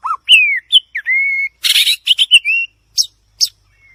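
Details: White-rumped shama singing: clear whistled notes, some sliding down and others held level, then a harsh buzzy rattling burst and a few short high chips, in a quiet setting.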